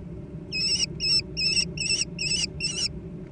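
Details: Amid a noisy food fight among young American kestrels, six piercing, wavering squeals follow one another rapidly after a short quiet start, then stop, leaving only a low hum.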